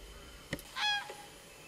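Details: Common crane giving one short, loud call with stacked harmonics, slightly falling in pitch and lasting about a quarter second, preceded by a faint click; a quiet background hiss runs throughout.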